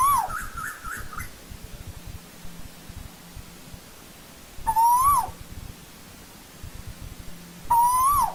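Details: Asian koel calling in old-growth forest: three loud rising whistles, each ending in a quick downward slur, spaced about three seconds apart, with a brief trilled phrase at the start and steady low background hum.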